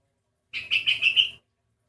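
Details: Odd-voiced sooty-headed bulbul: one short phrase of about five connected bright whistled notes, steady in pitch, lasting under a second.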